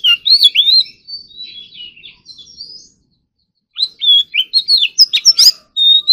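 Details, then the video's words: Morning voice practice of an Oriental magpie-robin singing competition-style: a busy phrase of swooping whistles fading into softer twitters, a pause, then a fresh burst of loud, rapid, varied notes ending on a steady whistle. "Kacer Gacor Full Isian Tembakan Mewah || choè than hót đấu"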